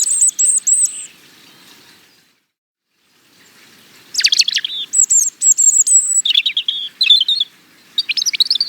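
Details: European robin singing: a brief high, thin repeated note series, about three seconds of silence, then a longer rich phrase of sharp high notes, wavering whistles and fast trills, with a new phrase beginning at the end; no other sounds.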